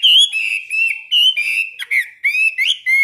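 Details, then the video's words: Hwamei in a cage during morning song practice, giving strong ringing whistles. Long held notes are broken by sharp slurs and dips, with short pauses between loud phrases. "Luyện hót cho họa mi mỗi ngày 15 phút vào buổi sáng đối với chim chơi giàn cứng"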